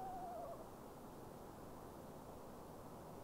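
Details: An Eastern screech owl, calling in darkness late at night, possibly seeking a spring mate, gives a brief, quavering, mid-pitched trill, then low rumbling background noise; another screech owl was heard in the woods.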